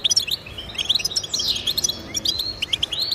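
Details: Lively goldfinch song intended to get pet goldfinches singing, with rapid high chirps, a short buzzy burst in the middle and tumbling liquid twitters throughout.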